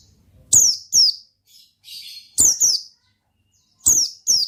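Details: Oriental white-eye in ngalas song form gives paired high, descending chirps three times. A short, quieter buzzy twitter fills the middle gap.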